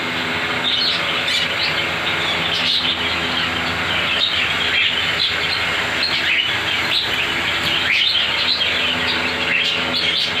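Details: Pet parrots in a home bird setup with ringnecks, cockatiels, budgies and a sun conure: a dense flock chorus of overlapping high chirps and twitters, nonstop throughout, over a steady low hum.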